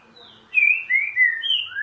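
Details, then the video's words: Green-winged saltator (Saltator similis) sings a quick run of four rich, slurred whistles, the last one rising, after a brief quiet start, with no other sounds. "Trinca ferro boca mole"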